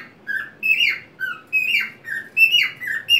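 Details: Pet white-faced cockatiel on a homemade swing, cheerfully singing as it rocks back and forth; a quick run of bright, slurred whistles, some rising then dropping, roughly five notes in three seconds, quiet room behind.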